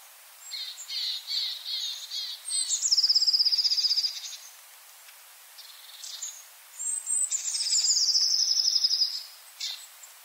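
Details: In a Joroinen yard, a long-tailed tit gives rapid buzzy rattles, then a loud, high, fast trill. After a short pause come more high chirps and a second long trill.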